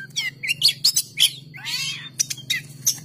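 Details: Oriental magpie-robin singing: rapid high chirps and rasping, buzzy slurs, including a longer scratchy downward sweep, in quick succession over a noticeable low hum.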